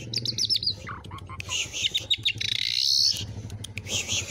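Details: Isian-style song of a Javan pied starling, offered as a training model for other birds: quick high chirps, a drawn-out rising whistle, then scratchy buzzy chatter, with a low hum underneath.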